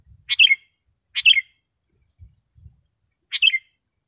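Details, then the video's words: Vigorously singing sooty-headed bulbul, recorded for training caged birds and calling wild ones closer: three crisp chirped phrases, each a tight burst of sharp notes dropping to a brief slurred tone, with faint low thumps between. "SUARA BURUNG KUTILANG GACOR TAJAM DAN JERNIH 100% AMPUH UNTUK MASTERAN DAN PANGGILAN"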